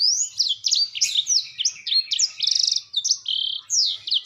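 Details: Kept Black-throated Canary in full song: a fast, unbroken stream of high, sweet slurred notes, mixed with buzzy trills and quick rattled phrases, with no other sounds.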